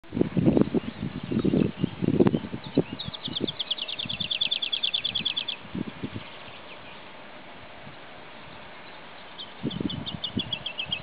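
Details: Male woodlark (Lullula arborea) singing at Sceaux-d'Anjou, Maine-et-Loire, France: a fast, liquid series of repeated notes slowly descending in pitch, given twice; low thumps and rustling open the recording.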